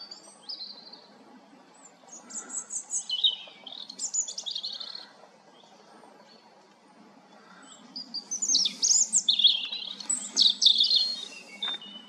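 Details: European robin singing two high, tumbling phrases separated by a quiet pause, each a rapid jumble of thin whistles and trills sliding up and down, with soft low background noise.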